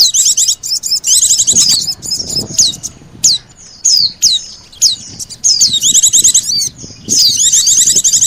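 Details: Lure sounds meant to draw in Oriental white-eyes, combined with sogon calls. Rapid high chattering trills open and close the passage, with sharp downward-sweeping whistled notes repeated about every half second in between.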